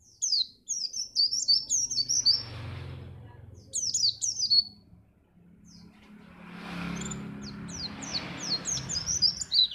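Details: White-eye (pleci) singing, a recording meant to get contest birds singing: bursts of sharp, high chirping notes separated by gaps, with a vehicle passing and a low droning hum beneath the later part.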